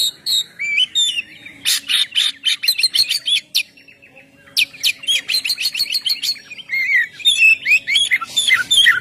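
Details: Oriental magpie-robin pouring out ngeplong song as a lure: bright twisting whistles mixed with harsh buzzy bursts, a short pause, then more rasping notes and a closing run of sweet warbled whistles.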